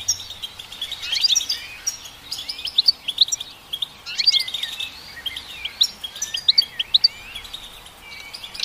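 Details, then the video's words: Goldfinch song in phrases of tinkling chirps and quick slurred twitters, each phrase starting and stopping every second or so. "Goldfinch Song"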